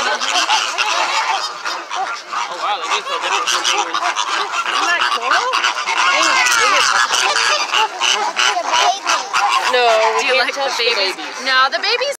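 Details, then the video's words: Loud flamingo flock at SeaWorld, captive and calling nonstop: a dense chorus of overlapping honks and gabbling notes, about three per second, with no pauses over twelve seconds. "with flamingos"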